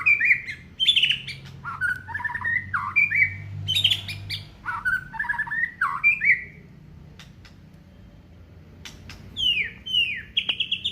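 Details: Caged Aceh white-rumped shama singing a long, varied run of whistled slurs and chips, falling quiet for a couple of seconds before a few descending whistles and clicks.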